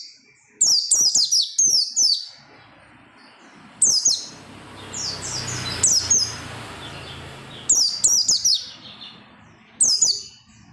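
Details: Oriental white-eye in persistent song, used to make other white-eyes sing: clusters of rapid, high, falling chirped phrases repeated in bursts roughly every two seconds, faint noise between.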